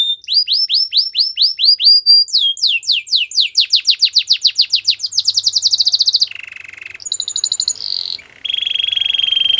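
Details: A canary sings rhythmic repeated swept notes that quicken into a dense rattle, then switches to a low buzzy roll, a piercing high trill and a sustained mid-pitched tour.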